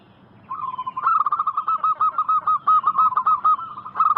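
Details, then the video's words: Lure recording of a local zebra dove singing to draw replies from wild doves. After a quiet half-second comes a long, unbroken trill of quick, bubbling coos, evenly spaced and holding one pitch to the end. "Masteran burung perkutut lokal gacor"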